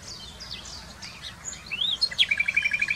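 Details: Common nightingale singing near Wittlich in 2020: faint high thin notes and slurred whistles, then a loud rapid run of about a dozen identical clicking notes repeated evenly at mid pitch, over low background rumble.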